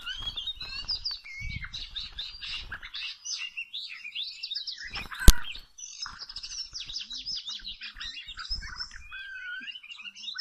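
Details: Oriental magpie-robin in the wild, filmed while trapping with small ropes was under way, pours out continuous, varied song of whistles, chirps and buzzy trills, broken once by a sharp click, over low rumbling handling noise.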